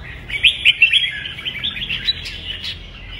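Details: Red-whiskered bulbul 'kích bổi' training song: a few loud, sharp chirped notes at the start, then a steady high rippling warble that carries through.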